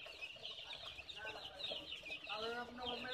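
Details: Baby chicks peeping continuously, a dense overlapping chatter of high thin cheeps from several birds, with a few lower harmonic calls near the end and soft background rumble.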